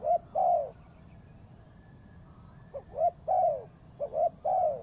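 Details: Spotted dove calling as a trapping lure, giving soft hollow coos in phrases of two quick notes and a longer falling coo, twice, separated by a pause, over faint low background rumble.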